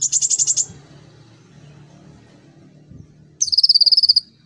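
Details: Sunbird (kolibri ninja) lure recording for training young birds: a short burst of fast, high chirps, a pause with low background hum, then a rapid ringing trill of high notes.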